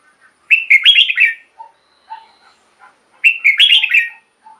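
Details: Caged red-whiskered bulbul, song used to liven up caged birds: two rich rolling whistled phrases nearly three seconds apart, with short low chips in the pause.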